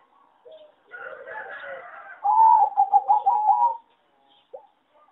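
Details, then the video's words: Farm-raised singing zebra dove bred for competition, described as singing poorly: a faint coo, a soft raspy murmur, then a loud fast stuttering trill of rapid pulses lasting over a second, ending in a brief coo. "A lot of Zebra dove from many farms are not so good singing and worst melody"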